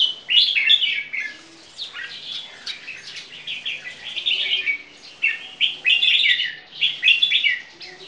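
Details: Caged crossbred bulbuls of champion bloodline, part Red-whiskered Bulbul, singing in display, two birds side by side; bright, varied warbled phrases in quick bursts with short pauses, fairly loud and clear.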